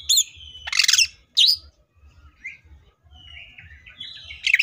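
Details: Green leafbird in 'full tembakan' singing, with a dense scratchy burst, a sharp whistle and drawn-out thin whistled tones between pauses, over faint low background rumble.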